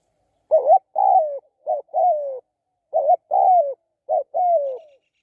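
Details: Spotted dove used for decoy luring, calling a rhythmic phrase of a short clipped coo and a long wavering, falling croo, repeated about every second in a clean recording.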